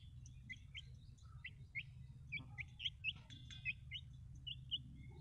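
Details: Baby chicks peep in clear, high, slightly falling notes, repeated about once every second at an uneven pace, over a steady low hum.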